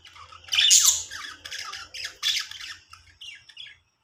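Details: Budgerigars give a loud, harsh squawk, then a string of shorter raspy chirps that fade away, over a faint low hum.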